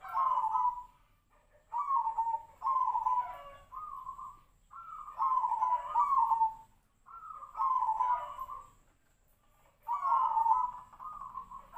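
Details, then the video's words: Zebra dove of the Tejoanom perkutut style, its song following other doves' cooing in a monotone half-beat and closing with three beats; here soft rolling coos come in grouped phrases about every two to three seconds. "PERKUTUT TEJOANOM|| SUARA SEPERTI BURUNG SIRTU-SIRPO"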